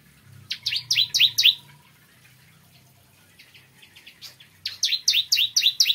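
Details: Bar-winged prinia morning song: two phrases of bright, descending slurred notes repeated quickly, with faint chips between and a low hum in the background.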